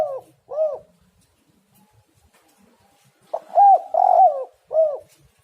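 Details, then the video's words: Spotted dove cooing, played to entice other doves to call: the end of one phrase, a quiet gap, then a stuttered opening, two mellow arched coos and a rounded closing note. "tekukur super gacor suara prangsang untuk burung"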